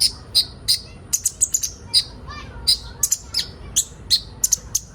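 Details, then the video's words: Ninja sunbird singing, a recording to prompt young birds into song: fast run of sharp, very high chirps and twitters, several with quick downward slurs, closely packed with little rhythm. "Burung kolibri ninja bahan ombyokan cepat gacor"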